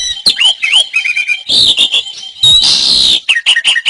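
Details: Kept Asian pied starling song, recorded as training material: squeaky looping whistles and a quick series of short notes, then loud grating rasps and chattering bursts.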